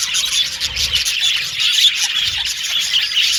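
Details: Several happy budgies chattering, busy high twittering and quick trills running continuously, with a faint steady low hum beneath.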